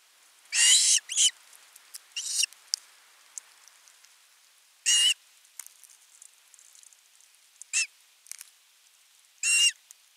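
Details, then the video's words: An osprey chick at a nest on 10 August 2021 begs at length for fish with loud, harsh, high screeches, about six in ten seconds at uneven intervals, with faint chirps between; later the male brings a whole fish. "huutaa pitkään kalaa"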